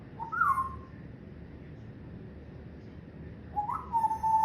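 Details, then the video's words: Pet parrot at home, a mimic of laughter, talk and coughs, gives two clear mid-pitched whistles a few seconds apart, each rising then flattening into a sustained tone. "PARROT MY BUDDY HIS LAUGHING TALKING AND COUGHING"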